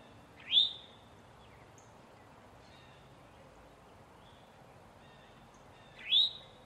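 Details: Warning call of a male Eastern towhee in distress: two loud, sharply rising slurred notes about five and a half seconds apart, with quiet hiss in between.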